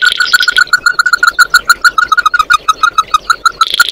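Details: Oriental white-eye song used to gather the flock, a rapid, insistent string of bright repeated notes over a brief buzzy chatter at the start and end.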